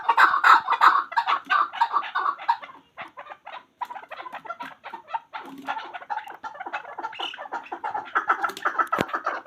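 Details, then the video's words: Hunter chakor, a chukar partridge, calling in rapid clucking bursts that break off briefly after a few seconds, then resume as an uneven stream of short chuck notes. "Chakor Ki Awaz. Hunter Chakor sound."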